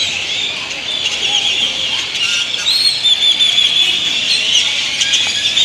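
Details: Big flock of great-tailed grackles arriving to perch and sleep in Indian laurel trees in Granada, Nicaragua; overlapping high whistles, rising squeals and harsh chatter form an unbroken din, with faint traffic beneath.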